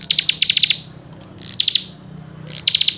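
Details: Common tailorbird giving quick strings of sharp, high, evenly spaced notes, six or seven in the first run, then shorter bursts of three or four, separated by brief pauses; low hum underneath.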